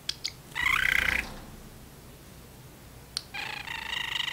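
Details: Pet parrotlet chatting from its cage with its owner in the kitchen: two sharp clicks, a buzzy nasal syllable, a pause, another click and a longer raspy speech-like phrase.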